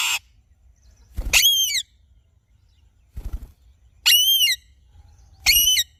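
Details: Alexandrine parakeet giving three loud, harsh screeches with strong ringing overtones, each about half a second long and spaced one to two seconds apart, with a short noisy burst at the start and quiet pauses between calls.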